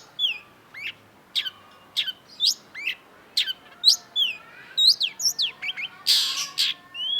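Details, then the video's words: Long-tailed shrike song from a vigorously singing cendet: varied high notes mixing sharp downslurred chips, short rising whistles and twisting phrases, closing with a loud, harsh, scratchy burst. "cendet gacor WAJIB PUNYA !! KOLEKSI MASTERAN CENDET || Long-tailed Shrike"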